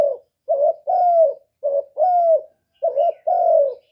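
A spotted dove coos in soft, low pairs: a short note, then a longer, slightly falling croo, repeated about every second and a quarter. No other sounds.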